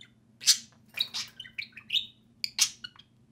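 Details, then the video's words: Two pet budgerigars at play: a loud squawky chirp, a burst of warbled squeaky notes, then another sharp chirp, over a quiet room hum. "Two social parakeets (budgerigars) play and speak"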